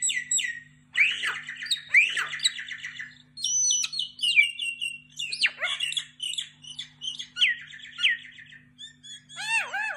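A myna gives a varied run of harsh squawks, gurgles and clear whistles, some rising and falling, with a faint low hum underneath.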